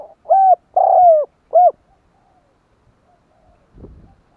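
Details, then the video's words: Spotted dove call played to attract wild doves: three deep, hollow coos with the middle one drawn out and sinking. Near silence follows, then a soft rustling knock at the end. "Cu gáy gọi kích bổi nhanh nổi / Tiếng chim cu gáy kích bổi Hiệu quả/ Cu gáy gọi bổi hay"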